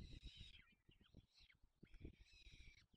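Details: Peregrine falcon at feeding time with its chicks, Barycz Valley, Poland, 4 May 2020. Two long harsh screeching wails with a few slurred notes between, over continuous low thumps.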